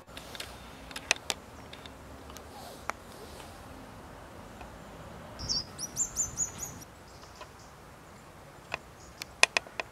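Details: Short-toed treecreeper (Certhia brachydactyla) climbing quickly up, 14 November 2019, San Antolín de Zamudio, Txorierri, Bizkaia, gives a brief burst of high, thin calls, five or six quick notes in about a second, over a quiet background with a few clicks.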